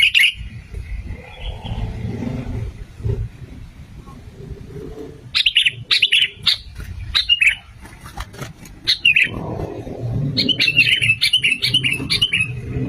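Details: Lure recording of sooty-headed bulbul: a run of sharp, scattered chirps followed by a bubbling, fluty phrase of quick notes, over a low, muffled background.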